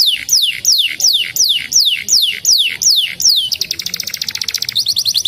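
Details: Canary giving seven loud, slow, sweeping whistles that slide downward, about two each second, then breaking into a rapid, high, buzzy trill.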